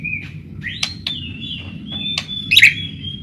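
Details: White-rumped shama song meant to draw other shamas into singing: thin, drawn-out whistles with sharp clicks scattered through, ending in a brief bright burst.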